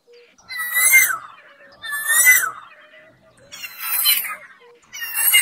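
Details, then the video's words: Koel song in Singapore, four strong phrases about a second apart, each a rising then falling whistle topped by buzzy, electronic-sounding upper tones. The last two phrases are rougher and noisier. "Koel birds songs in Singapore are nuts"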